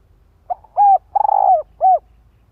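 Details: Male-provoking call of a decoy spotted dove: a faint lead-in note, a clear coo, a prolonged rolling burr and a final down-slurred coo, unaccompanied.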